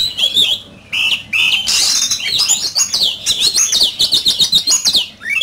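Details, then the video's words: An oriental magpie-robin in a singing contest pours out bright whistles. A burst of harsh noise is followed by a quick series of stepped, rising and falling whistled notes repeated several times a second. "Chòe Than,Bộ Đẹp,Hót Đấu Căng Lửa."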